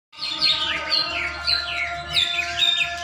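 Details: Caged greater green leafbird in song during setting practice ahead of a contest: a continuous run of varied, sliding, high whistled and chattering notes, with steady humming tones and low background noise throughout.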